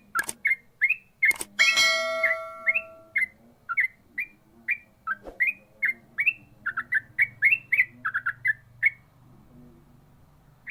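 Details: Yellow-vented bulbul in ropel song: a few sharp clicking knocks and a brief ringing noise open, then an even run of clear chirped notes, rising and falling, until fading near the end.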